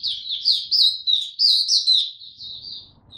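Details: Young white-eye, Malay name Mata Puteh, its Dagger song still maturing, 9 February 2022: a quick burst of high, wavering twitters that fades into softer notes with faint low rumbling.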